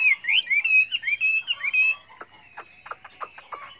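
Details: Chinese hwamei singing many voices for training other birds: a string of clear, rising and falling whistled phrases, then a series of sharp clicking notes.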